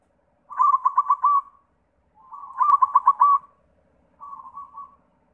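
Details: Zebra dove of the white form singing as a lure to other doves: two loud phrases of rapid staccato cooing notes, each about a second long, then a quieter trailing trill.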